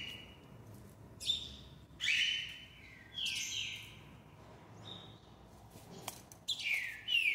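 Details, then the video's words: Singing rufous-bellied thrush delivering a series of bright whistled phrases about a second apart, some sliding downward, with brief sharp clicks between them over a quiet low background. "Trinca-Ferro cantador"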